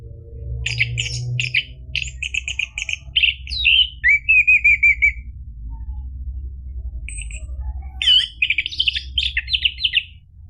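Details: Orange-headed thrush singing, played as a prompt for a caged bird: series of sharp repeated chips, a wavering whistled trill, a pause, then another quick jumbled phrase, low hum throughout.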